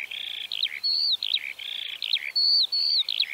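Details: Eurasian Skylark in Central Russia singing a lively high stream mixing buzzy rattled phrases, looping chirps and clear drawn-out whistles, with phrases recurring in a loose repeating pattern.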